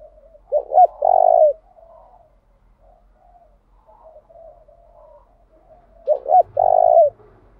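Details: Spotted dove kept as a decoy to make wild birds respond, repeatedly changing its song: two deep phrases about five seconds apart, each a pair of short bent hoots then a long resonant coo, soft murmurs between.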